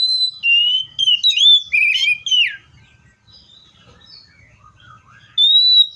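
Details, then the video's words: Loud clear song of a Seychelles magpie-robin: a quick run of varied whistles, some rising, some dropping steeply, then a long pause with faint distant notes and a fresh level whistle at the end. "COPSYCHUS SECHELLARUM BIRDS SOUNDS LIKE IN NATURE LOUD CLEAR SOUNDS"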